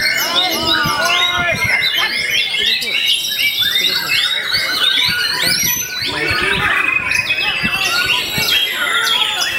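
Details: A caged white-rumped shama singing at a songbird contest in Yogyakarta pours out a rich, fast song of varied clear whistles, rising and falling slurs and chattering phrases without pauses; other caged birds may be faintly audible.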